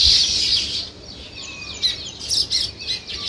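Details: Brief sparrow chirping near weaver birds building a nest: a burst of loud high chatter, then scattered sharp chirps with a faint thin whistle behind.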